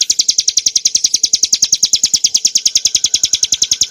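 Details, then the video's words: Ciblek gunung, the bar-winged prinia, singing a clear ngebren nembak phrase for training caged birds: a steady, rapid rattle of high, piercing notes at an even pace from start to finish. "kicauan burung ciblek gurun untuk masteran & pancingan - suara jernih ngebren nembak"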